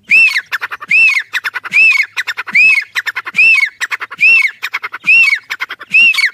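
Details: Black francolin chicks, said to be fighting, give harsh squawks, each with an arched whistled note, repeated about every second, with rapid ticking notes between.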